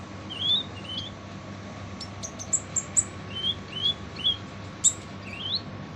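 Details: Kolibri ninja sunbird in full harsh-voiced song, used as a tutor recording for training other songbirds; short sharp whistled notes sliding upward, mixed with thin high ticks, spaced through the clip over a steady low hum.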